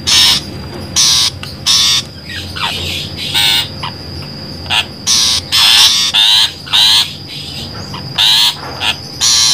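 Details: Trapping lure of long-tailed shrike calls: harsh, noisy squawks in clustered bursts with brief pauses, some shorter clipped notes between, over a faint constant hum.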